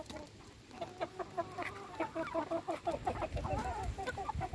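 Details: Chickens being fed, uttering quick low clucks repeated roughly three times a second in a loose rhythm, against a noisy background.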